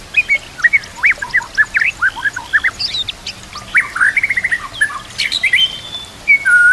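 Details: White-rumped shama song for training other shamas, filled with imitations of kapas tembak and cililin canary: a fast stream of varied whistled notes, chips and rising slurs, each phrase under a second, with short gaps between phrases.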